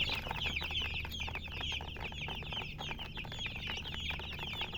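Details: Baby chicks chirping, rapid high wavering peeps from many birds filling the clip above a steady low hum.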